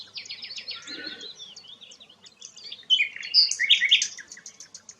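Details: Rare sikatan londo flycatcher in a quieter passage: a stuttering run of high scratchy notes, faint scattered ticks, then a louder cluster of sharp, whistled squeaks near the end.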